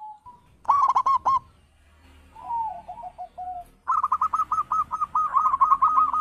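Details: Perkutut, a wild zebra dove, calling to prompt answers from other birds: a few short coos, a quieter wavering phrase, then a long, fast series of bright, repeated coos running to the end over a low background hum.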